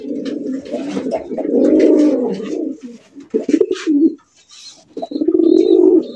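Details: Calling domestic pigeons held for sale, including fancy, racer, golla and giribaz types, coo loudly indoors. The deep throbbing coos come in long rolling phrases, pause, then resume, with faint higher chirps around them.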